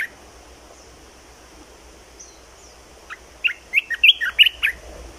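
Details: Singing caged red-whiskered bulbul with its newly acquired phrase: quiet at first, then a rapid, jumbled string of sweet, warbling whistles builds up in the second half.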